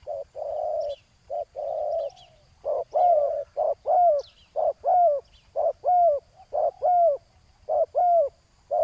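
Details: Ground decoying of spotted doves, where a decoy bird draws in a wild rival. Long blurred hoots give way to rhythmic pairs of clipped and longer curving coos, about one per second, over faint high bird chirps.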